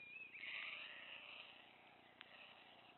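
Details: A hungry White stork youngster at Wilsum pulls food from its parents' beaks. A thin whistle slides up into a rough, sustained wheezing cry, followed by a single sharp click.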